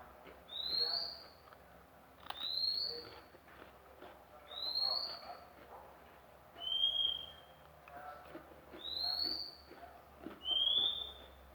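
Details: Recently acquired magpie-robin whistling a steady series of six long, pure, high notes, roughly one every two seconds. Most rise slightly; two sit a little lower and flatter, with faint background clatter.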